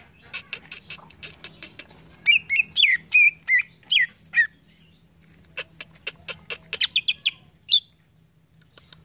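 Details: Green leafbird song offered to make an untrained cucak ijo answer quickly. Ticking notes give way to a run of bright, wavering whistles, then scattered clicks and a few high chirps.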